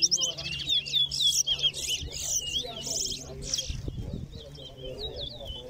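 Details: A towa towa (chestnut-bellied seed finch) singing in a race at Lusignan Ground, Guyana. It gives loud, dense bursts of whistled warbling with buzzy bits, then softer looping notes, while someone counts aloud and a thump sounds partway through.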